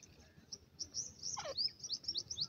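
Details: Thin, high cheeping of grey francolin chicks at play in the grass, a dense string of short rising notes crossed by one brief downward sweep, with a low background hum.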